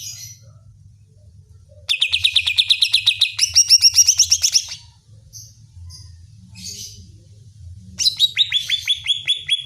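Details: Greater green leafbird provoking song: a long three-second run of rapid repeated notes that steps higher partway, then short buzzy notes and a fresh run near the end; low background hum.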